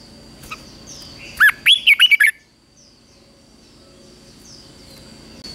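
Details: Red-whiskered bulbul singing during morning training in combative style: a brisk burst of five or six fluty, swooping whistles, preceded and followed by faint high chirps over a low constant hum.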